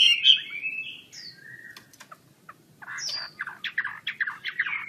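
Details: Chinese hwamei singing with wing-spreading display: loud slurred whistles near the start, then a pause and a string of short, varied, rapid notes.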